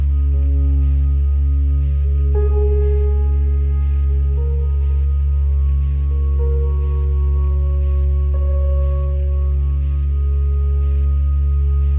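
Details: Sustained low humming drone with soft bell-like struck tones ringing out every couple of seconds, like a singing bowl; no animal sounds.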